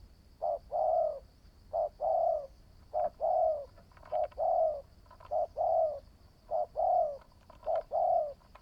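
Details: New decoy spotted dove in training calling steadily, seven evenly spaced phrases of short double notes leading into a mellow drawn-out coo, with a few faint higher chirps midway and a constant high electrical-like whine behind.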